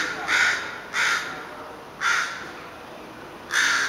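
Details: Crows or ravens calling over a long stretch, here four harsh, hoarse caws spaced about one to one and a half seconds apart, each short and loud, against a faint steady background hiss.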